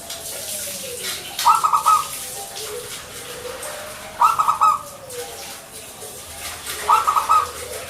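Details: Local Indonesian zebra dove, or perkutut, singing vigorously: three short bursts of rapid, bubbling coos spaced about every two and a half seconds, with a faint lower gliding note between them and soft background hiss.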